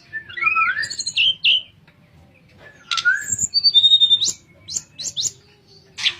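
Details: Flute-like 'nyuling' singing by a sooty-headed bulbul, used to tutor other birds: looped whistled notes and a rising slur, a pause, then clear sharp whistles and brief harsh bursts in quick succession.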